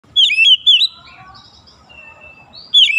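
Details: Oriental magpie-robin in morning sunlight giving short bursts of clear, sweet whistled notes at the start and end, with a quieter stretch of soft warbling between them.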